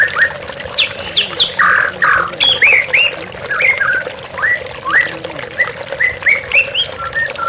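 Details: Therapy recording pairing running water with a white-rumped shama, meant to bring a stressed bird back to song: harsh squawks open, followed by a lively series of rising whistled notes, water flowing constantly.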